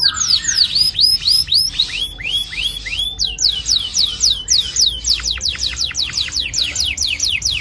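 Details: Canary song of the long rolling style used to coax young canaries into singing: clear rising-then-falling curved notes in quick runs, shifting into a rapid steady series of sharp, high, downward strokes.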